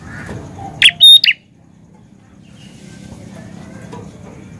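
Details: Active singing from a prinia: one loud, high phrase of a buzzy chip, a brief level whistle and a falling rasp, followed by a few seconds of quiet background with faint distant bird notes and low rumble.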